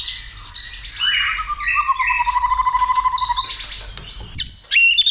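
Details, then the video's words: Fired-up White-rumped shama, stimulated to sing and fight: bright whistled phrases over a long rapid trill of repeated notes, closing with sharp high chips. "Kích Chòe lửa Lên Lửa, hót nhiều,chòe lửa đánh đuôi kích đấu .luyện chòe lửa hót nhiều giọng"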